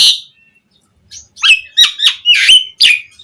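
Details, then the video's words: Asian pied starling singing rich varied material used as a lure for other starlings; a loud buzzy opening note, a short pause, then a string of five harsh, whistled chirps. "Suara JALAK SUREN Gacor MATERI Full Mewah Cocok Buat Pancingan Burung Jalak Biar Cepat Bongkar Isian"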